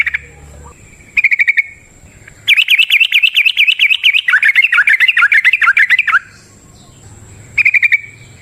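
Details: Yellow-vented bulbul in long rolling 'ropel panjang' song, recorded in the wild and used as a lure to get other bulbuls singing: a dense run of quick bubbly warbled notes after short chattering bursts, with a faint steady high whine behind.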